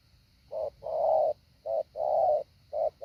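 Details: Decoy spotted dove practising the 'hạ bổi' call: low hollow coos in pairs, a short note then a longer drawn-out one, repeated about once a second over a faint steady high hum.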